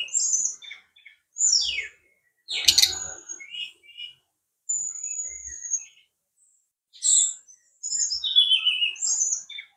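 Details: Brown-chested jungle flycatcher song made of varied high phrases: sweet whistles, short trills and slurred notes that fall in pitch, with brief pauses between them. One sharp click or knock is heard partway through, and one long, thin, steady whistle.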